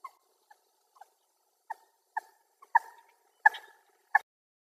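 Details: Wild common moorhen, recorded with a Sony FDR-AX100: a series of abrupt clucks, faint and sparse at first, then growing louder and closer together, about eight notes in under five seconds.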